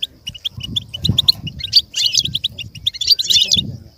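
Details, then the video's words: A goldfinch sings as an example for a goldfinch to learn: clipped chirps speed up into dense, jangling twitter bursts, with a low rumbling background throughout. "With stimulation for the goldfinch to learn and imitate sounds"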